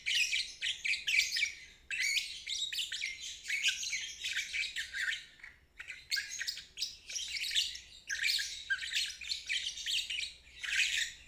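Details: Lovebird ngeriwik trill played to teach young birds or stalled singers; sustained harsh, rattling high-pitched chatter in phrases of one to two seconds with short breaks.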